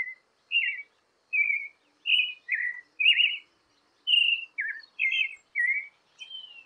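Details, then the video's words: Sabiá-poca, the creamy-bellied thrush, in song meant to stir caged birds into singing: brief warbled whistles with quick downward slurs, delivered in a loose series with short pauses, clean and free of other sounds. "ESQUENTE SEU PÁSSARO COM CANTO DE SABIÁ POCA"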